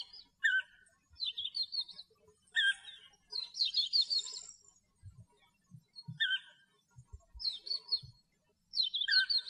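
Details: European bee-eater (Merops apiaster) song recorded in its natural habitat in Greece: short, rolling, burry 'prruip' notes in quick clusters with pauses between bursts, plus low handling thumps midway.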